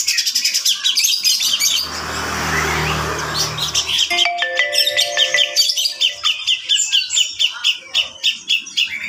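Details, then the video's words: A young Javan grey-cheeked bulbul, thought to be female, kept at a bird farm, gives rapid, high, harsh chirps, several each second; a brief voice and music come in midway, then steady tonal notes. "Jeritan Cucak Jenggot Betina Gacor"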